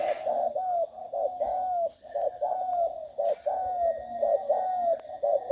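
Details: Young trained spotted dove, six months old, of the Bang Kaeo Tai style, cooing in a steady series of mellow, hollow phrases, each ending in a drawn-out gliding note, repeated about once a second.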